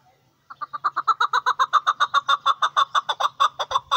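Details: A chakor kept for hunting, the chukar partridge, launches after a brief silence into an even, rapid chain of about twenty-five clucking chuk notes in a quiet setting.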